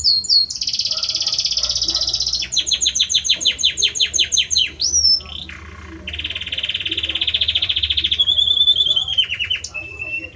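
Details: Male Belgian canary singing at length to a female: a continuous run of bright, high trilled phrases, a fast buzzy rattle, a clear rising-falling whistle, then a long steady rolling trill ending in a soft whistled note.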